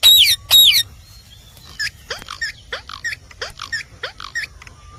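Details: Indian parrot, or rose-ringed parakeet, giving two loud, harsh screeches at the start. A series of shorter, sharp, hooked squawks follows, repeated about twice a second, over a low background hum.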